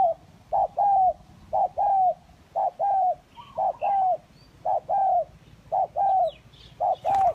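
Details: Spotted doves of kacuk and village types calling to lure others: a long regular series of paired coos, short then drawn-out, about seven phrases in quick even rhythm.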